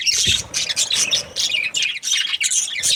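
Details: Short bursts of shrill budgerigar chirps and squawks, roughly several per second, with a faint low knock at the start.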